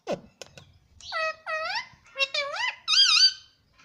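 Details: Pet green ring-necked parrot talking indoors, speaking a few short words in quick succession: bright, wavering, speech-like syllables with rising and falling inflections, four or five bursts over about three seconds in a small quiet room.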